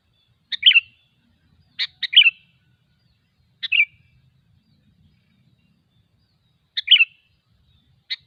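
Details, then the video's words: Sooty-headed bulbul in the wild giving brisk, chirpy phrases of a few rapid liquid notes, sometimes doubled, separated by pauses of one to three seconds; faint low rumble in the background. "suara burung kutilang ASLI ALAM LIAR"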